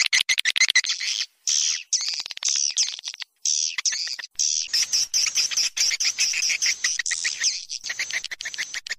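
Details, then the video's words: Calling sound used to lure swiftlets: continuous shrill twittering with fast, repeated chirps and two brief gaps. "Suara panggil burung walet"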